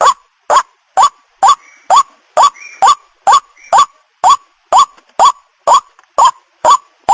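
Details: White-breasted waterhen lure call, used to draw in males and females: loud, harsh notes with a short rising hook, about fifteen in seven seconds, steadily repeated roughly twice per second, with faint lower chatter between them.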